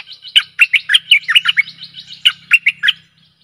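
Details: Stripe-throated bulbul singing, recorded as a decoy for luring aggressive wild birds. One continuous run of loud, liquid chirping notes, fast and jumbled, fading out after three seconds. A faint low hum sits underneath.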